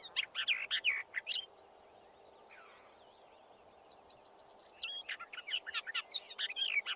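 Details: Western Orphean Warbler singing from a holm oak, two bursts of rich, thrush-like warbled phrases separated by a pause, with a characteristic oft-repeated phrase; another answers more faintly in the distance over steady background hiss.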